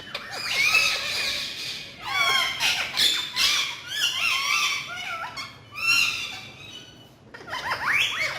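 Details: Talking parrots, described as naughty: a run of raspy, harmonic squawks and warbling voice-like phrases, sliding up and down, with short pauses between bursts.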